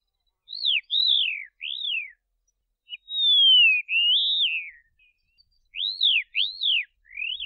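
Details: Karoo Long-billed Lark in the southern Karoo sings clear, high arched whistles, each rising then sliding down, with one long drawn-out descending slur in the middle; no other sounds.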